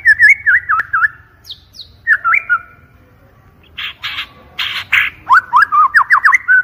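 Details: White-rumped shama lure song, clear and loud: wavering whistled phrases, a pause, then harsh rasping bursts followed by rapid up-and-down whistled notes.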